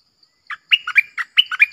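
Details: Bright double-style song of a red-whiskered bulbul: a single lead note followed by two linked groups of three crisp whistles each, swinging between high and lower pitches, sung with a clear voice.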